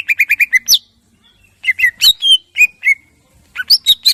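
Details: Greater green leafbird singing in the morning as a lure for other birds to sing, with a quick series of repeated whistles, a pause, then varied slurred whistles and sharp chattering notes.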